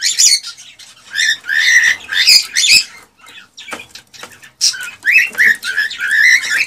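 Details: A male cockatiel sings agitatedly to rouse a female for mating and breeding. Scratchy chatter phrases alternate with gaps, then a series of upward-sweeping whistles ends the passage.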